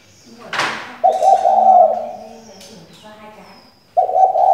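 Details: Spotted dove female serving as a decoy for males, after a brief rustle giving a sustained, burry coo of about a second and a half, then starting another, over low background hum.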